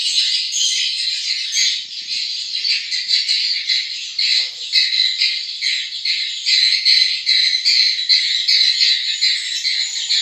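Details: A group of newly hatched swiftlet chicks gives a sustained shrill, buzzy chatter, pulsing rapidly about twice per second over ten seconds without pause.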